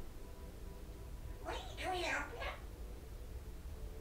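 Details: Pet grey parrot talking indoors: one short word-like phrase of about a second with voice-like harmonics, set against low room hum and otherwise quiet surroundings.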